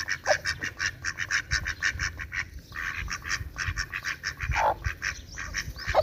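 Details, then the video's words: Ducks quacking loudly in a dense, overlapping run of short nasal calls. Several birds call at once almost without pause, with a few louder honking notes near the middle and at the end. "Duck Quack Quack Cute Sound || Quacking Sound Of Duck || Ducks Quack Quack Loud Sound"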